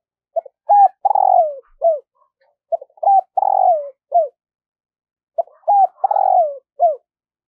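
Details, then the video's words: Spotted dove decoy cooing in the morning to attract wild birds. Three repeated phrases, each a soft clipped note, a rising hoot, a long falling coo and a brief final coo, spaced about two to three seconds apart. "Tiếng chim cu gáy thúc và gáy gọi bổi vào buổi sáng"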